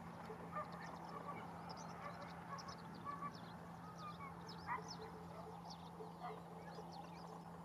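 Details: Greater flamingos at Barragem da Marateca, Portugal, in November 2022: a distant flock gives overlapping goose-like honks and nasal gabbling notes, with faint high chirps from other birds above and a steady low hum throughout.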